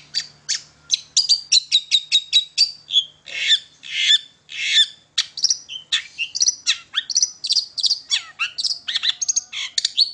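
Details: Lively long-tailed shrike song, played as a lure to get other shrikes singing: fast run of clipped high notes, then varied whistles, chirps and rising slurs delivered almost without pause.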